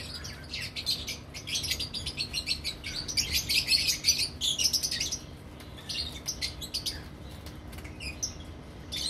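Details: Breeding colony of lovebirds: many birds chattering at once with dense, high, squeaky chirps, rising to a busy peak and then thinning to scattered calls.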